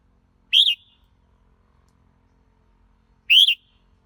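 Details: A red-whiskered bulbul gives two separate, short, bright whistled notes nearly three seconds apart, each arching up and down, with silence between them.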